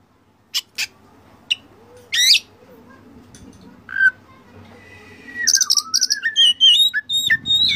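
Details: Oriental magpie-robin song used as a training model for caged birds: sparse sharp clicks and a brief warble, then a long descending whistle breaking into rapid bright notes and buzzy rattles.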